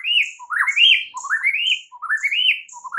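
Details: White-rumped shama song meant to provoke other shamas: a loud run of swooping phrases, each climbing from low notes to a bright whistled peak, repeated about every half second with thin high overtones and no other sounds.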